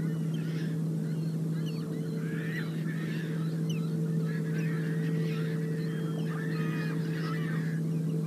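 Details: A few sandhill cranes at sunset on the Upper Mississippi River flyway near Onalaska, 20 September 2018, live camera: overlapping rough, honking calls in a loose chorus over a steady low mechanical hum.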